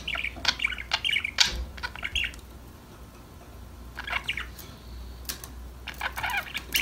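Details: Playful budgies give clustered bursts of squeaky chirps at the start, pause briefly, then chirp again in the second half. A soft low hum fills the pauses.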